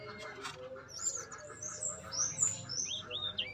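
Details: Caged male yellow-rumped flycatcher at a breeding facility: a short run of high, slurred whistled notes, some rising and some falling, over a faint, noisy background.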